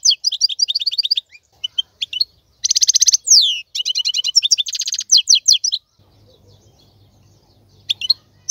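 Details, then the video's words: European goldfinch, a wild-caught male, in fast tinkling song for teaching chicks: dense twittering runs broken by a harsh buzzy rasp and slurred notes, ending in quieter scattered chirps over a faint low hum. "تغريد الحسون : تغريد روعة"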